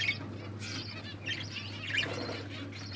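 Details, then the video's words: Pet budgerigars, Australian parrots, chirping while eating food; soft, scattered high chirps and short warbles over a steady low electrical hum, with some rustling. "Australian parrots eating food birds chirping sounds"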